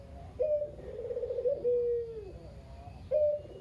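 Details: Single kept Barbary dove, a local puter (kugeru), very vocal, recorded as a lure for other doves. One full coo with a sharp lead-in, a purring stretch and a long smooth downward note, then the next coo beginning.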